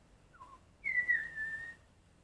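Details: Black-collared starling working on a red-whiskered bulbul imitation gives a brief soft note, then one long clear whistle that falls slowly and fades, with faint room hiss behind it.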